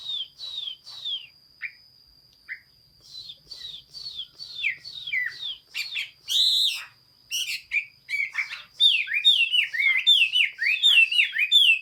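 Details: Chinese hwamei singing on 15 June 2021: a varied run of loud, clear whistled phrases, many slurred downward, with rapid repeated notes building toward the end and a steady high tone in the background.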